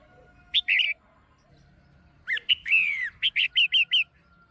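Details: A female red-whiskered bulbul in a cage calls to excite a male: a brief chirp pair, then a jumbled warbling phrase followed by five evenly spaced, clipped whistled notes.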